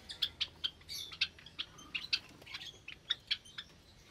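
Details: Java sparrows kept in an aviary cage with new chicks, morning of 8 May 2022: a quick series of sharp, high chips, about three or four each second, with a soft background hum.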